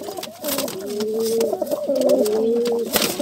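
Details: Pigeons fighting, giving a series of low, drawn-out rising coos that swell and fall in overlapping phrases, with scattered knocks and scuffling noises around them.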